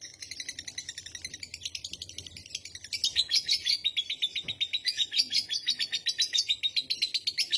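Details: Long lovebird ngekek, chatter that triggers other lovebirds to chatter too: a quieter start of fast scratchy notes, then from about three seconds a louder, insistent stream of high shrill pulses repeating rapidly to the end.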